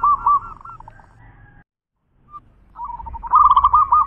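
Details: Local zebra dove of champion voice cooing in a short rolling phrase, falling silent, then starting again with a fast bubbling series of looped notes.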